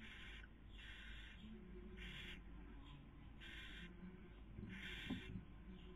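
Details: Barn owl pair at a nest webcam in Cabañeros National Park, Castilla-La Mancha, Spain, during the 2020 breeding season. The female feeds while the male tries to sleep. Harsh, broadband hissing bursts repeat roughly once a second over a low background hum.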